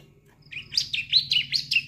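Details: Brief practice song of a young bar-winged prinia (ciblek), used as training material for adult songbirds: a thin whistle leading into five quick, bright, up-and-down chirps over a steady low hum.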